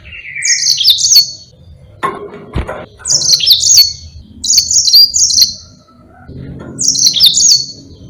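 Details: Yellow-fronted canary giving a lively, long-rolling song kept for tutoring other birds: a thin high note first, then bright trilled bursts of about a second, with a dull knock between phrases.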